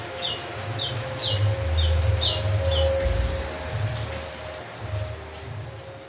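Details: Long-tailed shrike singing during rain: a run of five high, sharp chirps, each with a lower buzzy note, about one per second. Steady rainfall patters throughout.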